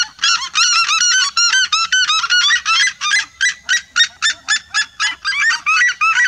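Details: Red-legged seriema flock singing in chorus; crowded, overlapping yelping notes at first, then clearer separate yelps spaced evenly, loud and ringing with upturned endings.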